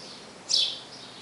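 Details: House sparrow calling the female to the nest: one short, bright chirp, loud and high, standing alone against a quiet, steady hiss.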